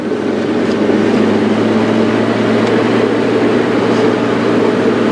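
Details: Steady engine rumble from a safari vehicle, with a broad hum and constant noise and no animal calls heard.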